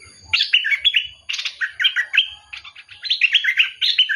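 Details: Bulbul song in lively phrases of rich, liquid whistled notes that rise and fall, with short pauses between bursts of three to five notes.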